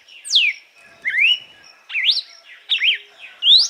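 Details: A red-cowled cardinal (Paroaria dominicana) gives the 'açoite' song type, used to warm up and train birds: clear, loud whistled phrases, some sweeping down and others rising, about one every second, with faint background chatter.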